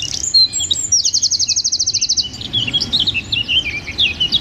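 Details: Wren delivering a rapid 'tembakan rapat' shooting song, made as training material for songbirds: a loud fast trill of about twenty identical high notes lasting over a second, followed by jumbled chirps and another quick trill.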